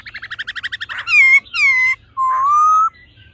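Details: Laughingthrush pair, female ro calls and male old-forest voice song for quickly stimulating males: a fast pulsed trill followed by three long loud whistles, the last low and slowly rising.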